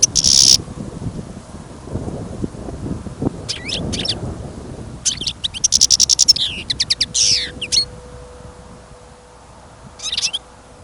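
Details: Caged European goldfinch singing confidently outdoors in fresh snow and wind: bursts of rapid buzzy trills and twittering high notes with pauses between phrases, low wind rumble underneath.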